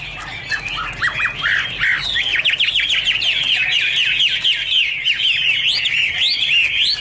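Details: Chinese hwamei, 2017, delivering a fast series of repeated downslurred whistled notes, roughly three or four each second, bright and insistent over light background hum.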